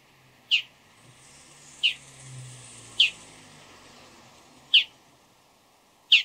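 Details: Bull-headed shrike before dawn uttering five loud, grating notes spaced about 1.3 seconds apart, while a low rumble, like a distant passing vehicle, swells and fades underneath.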